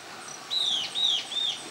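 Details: Euler's flycatcher calling at Mishquiyacu, Moyobamba, a territorial species of Amazon foothills and ridges. Three high, thin whistled notes, each sliding slightly downward, follow one another in quick succession against a quiet background.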